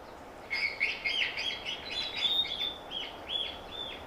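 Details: Mohua (yellowhead) song played through a loudspeaker in New Zealand to lure a rare mohua into a mist net: a quick run of bright, arched whistled notes, two or three a second, over a faint background hiss.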